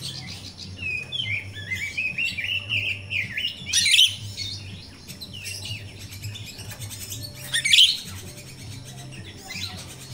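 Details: Jalak rio-rio myna recorded in the wild and played to captive birds as a training lure. A rising run of whistled and chirping notes is broken by two loud sharp bursts about four seconds apart, over a low hum.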